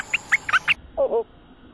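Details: Territorial resident cream-vented bulbul near a lure cage. It gives four short, sharp chirps in quick succession, then two lower, rounder notes after a brief pause.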